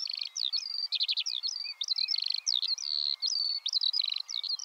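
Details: A Eurasian skylark pours out its song, quick high chirps mixed with short buzzy rattles and clear whistled notes, repeated in rapid, restless sequence without stopping.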